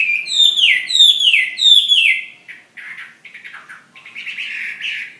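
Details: Three loud, descending whistled slurs from a Chinese hwamei fighting bird of Hà Giang, followed by softer, quicker twittering phrases.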